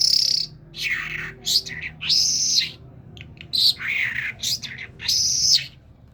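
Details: Kerman talking common myna mixing clear high whistles, some held and level, with harsh rasping chatter notes in a varied, irregular sequence.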